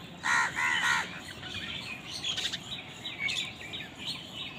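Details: During a fight among crows over food, three quick, rasping caws come in a tight run, followed by faint scattered chirps and background hiss.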